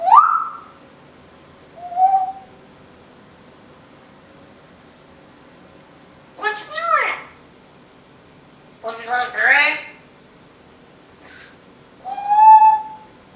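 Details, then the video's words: Pet female Timneh African grey parrot that talks, sings and copies household noises such as a vacuum and packing tape; scattered short utterances: a brief whistle, a small chirp, two harsh broadband bursts and a final whistled note, separated by indoor quiet. "The smartest African Grey Parrot, TALKING - singing, and making vacuum sounds."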